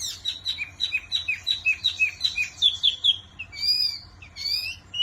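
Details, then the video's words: Wambi song with a rhythmic chain of sharp whistled notes alternating high and lower pitch, about three per second, ending in two longer rising and falling whistles with a pause between. "Burung Wambi Mini Gacor Kicau Terbaik"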